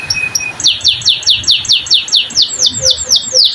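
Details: Canary in full, vigorous 'cengkok mewah' song: after a brief level whistle, a rapid run of high descending whistled notes, roughly two per second, sliding down steadily and continuing without pause.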